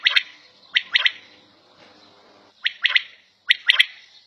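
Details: Domestic quail call, heard indoors: crisp triple-noted bursts, one sharp note then two fast ones, given four times with brief pauses between phrases.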